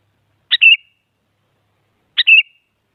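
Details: Two matching sooty-headed bulbul phrases about 1.7 seconds apart, each a sharp note followed by a short liquid whistle, sung to push other bulbuls into singing.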